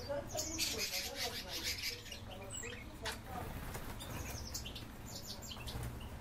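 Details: Captive rosy starlings (Sturnus roseus) chatter in a busy, overlapping jumble of harsh, scratchy notes and short squeaks, with a steady low rumble behind.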